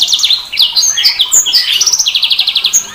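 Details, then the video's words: Sanger bird singing a dense, fast medley of sharp high whistles, slurred notes and rapid buzzy trills, with a steady pulsed trill running through the second half. "Suara Burung SANGER"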